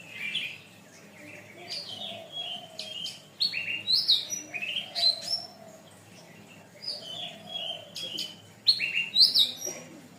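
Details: Long canary tutor song for training birds, bright chirps and short high trills in bursts separated by brief pauses, with a faint low hum behind.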